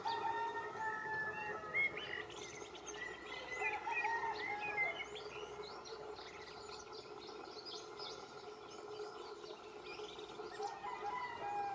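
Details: Canary Islands chiffchaff singing at Valleseco, Gran Canaria, in May 2022: a quick run of thin, high chirping notes, loudest in the first half, over a steady low hum and a background of other faint calls.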